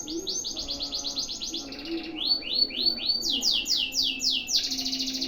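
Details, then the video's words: Canary in a long single-breath tutor song: rapid rolling trills of repeated notes, switching between several trill types, some falling sweeps, with a faint low hum underneath. "MASTERAN KENARI DURASI PANJANG SATU NAFAS"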